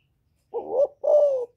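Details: A single spotted dove phrase, 'giọng thổ' style, given to provoke rival males: a short rising coo, a brief gap, then a longer, steady, slightly falling hoarse coo, with silence around it.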